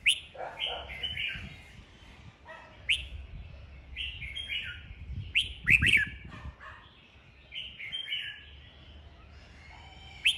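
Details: Dueling red-whiskered bulbuls, sung to spur wild-caught birds into song: repeated bouts of clear, bubbling whistled phrases with sharp accented notes, steady chatter between bursts, and light handling knocks underneath.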